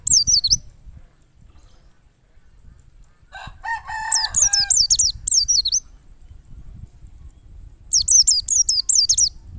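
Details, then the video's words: Wild white-eye singing as a lure for captive white-eyes: quick runs of shrill, high, falling notes. A short, harsher, lower chattering burst comes midway, and a soft low background rumble runs throughout. "PLECI NGALAS power super mantap PAS banget buat PANCINGAN PLECI agar buka paruh"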